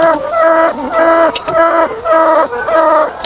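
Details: Egg-laying hens on a farm with thousands of birds. Loud, nasal, harmonic calls repeat almost twice a second in a steady rhythm, each level note ending in a short dip, over a dense flock background.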